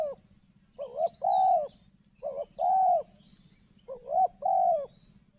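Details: Spotted dove cooing in the morning in dense cover near rocks and maize, three phrases about every one and a half seconds, each with short lead-in notes then a drawn-out mellow coo, over a low steady hum.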